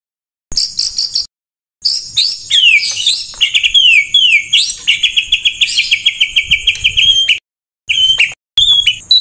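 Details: White-rumped shama song, a master recording full of rough rapid-fire 'tembakan' phrases for training songbirds: loud, dense bursts of sharp whistled and chattering notes, with quick descending slurs and rapid repeated chips, broken by short pauses.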